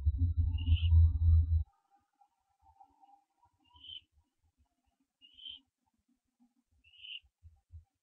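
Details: Barn owl owlet at a nest, recorded before dawn at 4:07 AM on 15 September 2011 around branching: four short hoarse rising calls spaced about 1.5 seconds apart follow a burst of loud low rumbling, with a faint steady hum beneath.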